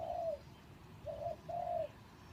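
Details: Decoy spotted dove in a cage, recently moved from a breeding cage and still out of condition, delivering three mellow mid-pitched coos, the first and last long and gently falling, the middle one shorter, with faint background hiss.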